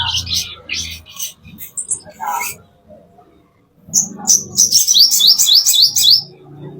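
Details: Plain-throated sunbird song used as master song for training caged birds: rapid high twittering bursts and thin sweeping trills, with a pause mid-way before a fast run of repeated high rising notes; low murmuring underneath.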